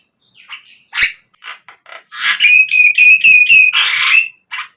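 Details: Javan myna song used as a lure for captive birds: scattered harsh notes, then a rapid series of about eight ringing whistled notes on one pitch, followed by a harsh burst.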